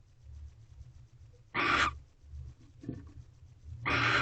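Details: Barn owl screeching from a nest box at night during mating, on 18 February 2023 at 8:19 pm when a mouse is delivered: two loud, hoarse, hissing screeches about two seconds apart, with a faint low hum between them.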